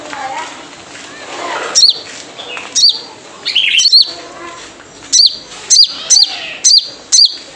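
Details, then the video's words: Wild sunbird, locally called sogon, giving its typical calling note used as a lure to get kept birds singing: sharp high downslurred chirps with a brief buzzy tail, about seven spaced irregularly, over a soft hiss. "Jrejet Cuit Suara Panggilan Khas Sogon Liar untuk pancingan sogon agar gacor"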